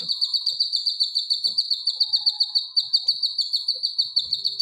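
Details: Grey-cheeked bulbul (cucak kinoy) training song for caged birds: an unbroken high, rapid trill of evenly repeated notes, about a dozen each second, with faint soft clicks underneath.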